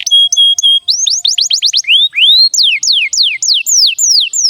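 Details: Lure song of a canary, sung to stimulate other canaries: level held whistles, a quick run of short rising notes, then bold slow looping sweeps climbing and falling, loud and clear.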